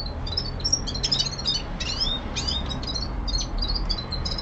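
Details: Young male common linnet kept at home, singing a rapid twittering song of bright, high, rising and falling notes in quick bursts, with a steady low hum underneath.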